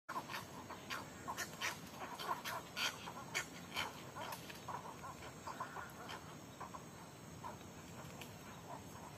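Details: At dusk, cattle egrets arrive in groups to roost in eucalyptus trees by an artificial lake in Corona, Panama, squabbling over branch spots: harsh, short croaks in irregular overlapping chatter, about two a second, over a high insect hiss.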